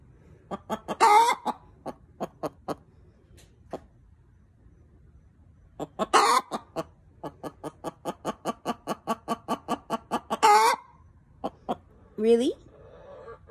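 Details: Hen giving her loud, proud egg song just after laying: bursts of rapid clucks that build into long, harsh, drawn-out squawks repeated three times, with a short rising cry near the end.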